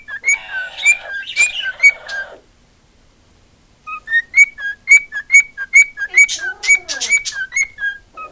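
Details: Attention-loving female cockatiel kept as a pet, warbling mixed whistles and chirps, then after a short pause a steady series of quick whistled notes alternating high and low, about two per second.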